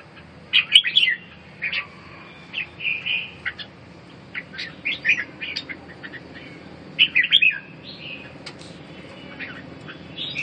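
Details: Red-whiskered bulbul recovering from respiratory illness and coughing, delivering a series of short chirpy whistled phrases, some slurred and rising, spaced irregularly across the recording with a faint steady hum behind.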